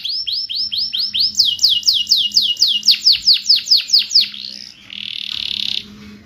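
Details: Singing canary, used to coax canaries that stopped singing: a rapid series of clear descending sweeps, about four a second, climbing slightly in pitch midway, ending in a harsh buzz, over a faint steady hum.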